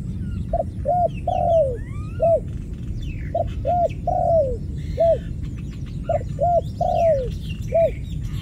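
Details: Dove repeating the same cooing phrase three times, about every 2.7 seconds: a short note, an arched coo, a longer falling coo and a final short coo; small birds twitter behind, with low steady background noise.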